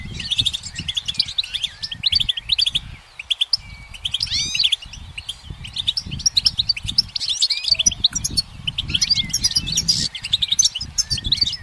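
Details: Goldfinch perched in sunshine pouring out a lively twittering song, rapid chirps mixed with sweeping slurred notes and tinkling trills, almost unbroken, low rumbling underneath.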